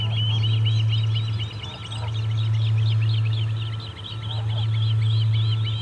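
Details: Osprey calling at the Charlo nest, 8 August 2020, parent arriving fishless; jumbled, overlapping high chirping whistles, rather rough and uneven, over a steady low hum.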